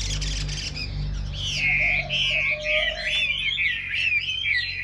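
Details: After a quiet start, a caged Chinese hwamei launches into a long, rich warbling phrase of wavering whistles over a faint low hum.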